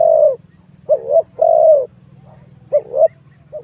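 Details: Spotted dove decoy calling to bring wild doves in to fight: soft paired coos, a short hooting note and a longer smooth coo, with faint high ticks and a low hum.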